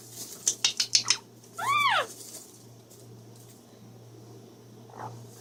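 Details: Pet female Amazon parrot, kept free outside her cage, making sounds described as spring mating behaviour while wanting her owner in sight. A burst of sharp clicks, then one clear arched whistled call, and quiet afterward.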